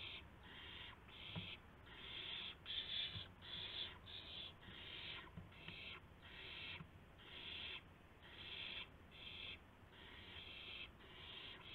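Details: Owls at a nest at dawn, 5:50 AM on March 26 2016, as prey arrives: a gopher, then a mouse. Harsh, breathy hissing bursts repeat roughly once per second, rasping and unbroken, with faint low rumble beneath.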